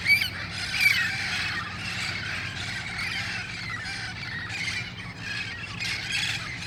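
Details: Dusk gathering of wild red-crowned parrots in El Cajon, August 1, 2018, ahead of moving to nearby roost trees; raucous, scratchy squawks overlap without pause, a few sharper shrieks standing out near the start, over faint low hum.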